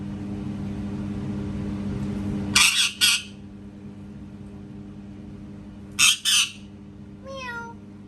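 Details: Parrot known for mimicking cats gives two pairs of harsh, raspy squawks several seconds apart, then closes with a short falling meow-like whine. A low hum fills the background before the first squawks.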